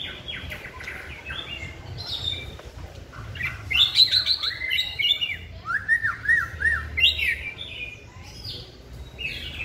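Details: White-rumped shama, a caged bird in song training, delivers rapid varied whistles, sweeping up and down, with a burst of loud rolling notes midway and steady low background noise.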